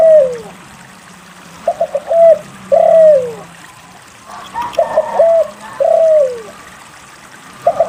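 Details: Spotted dove singing continuously, meant to prompt other doves to sing: pairs of phrases made of a few short clipped coos and a long coo drooping at the end, roughly three phrases a few seconds apart.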